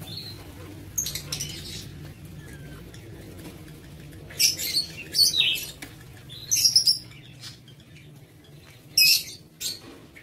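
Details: Kept in a breeding aviary, lovebirds utter piercing high chirps in scattered clusters, loudest around five, seven and nine seconds, with quiet stretches and a soft low hum.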